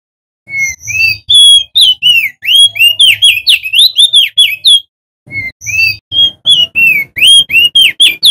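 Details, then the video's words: Male Crested white-eye, endemic to Lombok, West Nusa Tenggara, used as a lure to prompt other white-eyes to sing: loud clear whistled notes, rising and falling, in rapid continuous phrases with a brief pause midway. "OPIOR JAMBUL ( Prenjak Daun ) Jantan GACOR - Suara PIKAT & Pancingan Burung Opyor BAHAN Supaya Bunyi"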